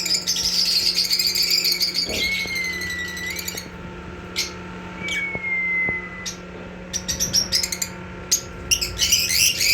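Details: Black-masked lovebird kept indoors: bursts of shrill, buzzy chattering and squeaky chirps in rapid runs, with a few long thin whistles, and a steady low electrical hum throughout.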